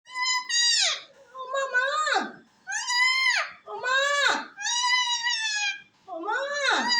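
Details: Pet parrot talking face to face with its owner: six drawn-out, harmonic, voice-like phrases with rising then falling inflections, some sliding steeply downward at the end, separated by brief pauses.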